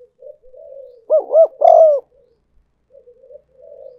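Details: Spotted dove luring call used as a decoy. Quiet low cooing swells into a strong phrase of two short rounded coos and one longer sustained coo, then fades back to murmurs.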